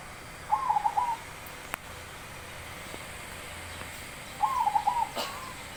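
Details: Zebra dove with a big voice, singing two short, bubbling coo phrases about four seconds apart, each a rapid run of rolling notes, with faint clicks and a quiet outdoor hiss between them.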